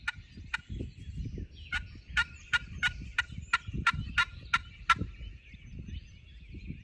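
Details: Wild turkey in spring, a pressured gobbler accompanied by many hens, heard at daylight near their roost during a hunt; a run of about eleven sharp, evenly spaced raspy notes, roughly three per second, over low rumbling background noise.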